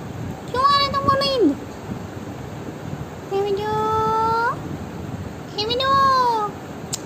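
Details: Pet parrot drowsing indoors, said to have fallen asleep while talking: three drawn-out, nasal, voice-like calls with rich overtones, the first falling at its end, the second held level and rising slightly, the third arching.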